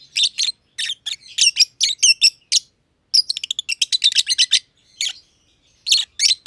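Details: Two lovebirds, a green personata and a green pied personata, kept in an aviary, chirp in bursts of sharp, high, scratchy notes, clustered in quick runs with short pauses between groups.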